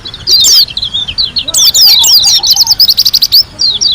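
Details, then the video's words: Lombok white-eye singing gacor in the ngalas style with tembakan: a loud, rapid run of high whistled chirps, slurred sweeps and a quick repeated twitter near the end, all close and clear. "KUMPULAN SUARA PLECI GACOR ASLI DARI LOMBOK‼️ SUPER NGALAS TEMBAKAN MEWAH"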